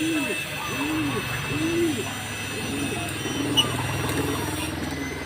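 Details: Green pigeon calling with a series of soft, low, arching hoots spaced about a second apart, with a faint click and steady background hum.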